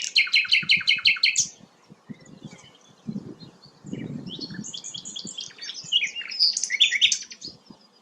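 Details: Sikatan londo, a rare flycatcher, opening with a fast rhythmic chatter of about ten notes, a pause with low thumps, then varied high twittering phrases.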